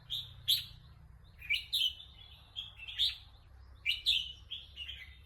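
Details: Red-whiskered bulbul, described as wanting to compete, delivers loud chirpy whistled phrases in bursts roughly every second, each a quick rising and falling warble, against a faint low background hum.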